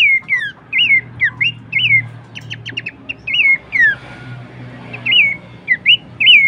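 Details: Horsfield's babbler song on a training recording for cage birds: strings of curved whistled notes, a short series of rapid clipped notes near the middle, then further rising and falling whistles.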